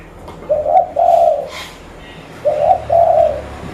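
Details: Lure zebra dove, a local bird from Reului, Pidie, Aceh, Indonesia: two pairs of short mellow coos, each pair a brief note followed by a longer one, with a faint rustle between.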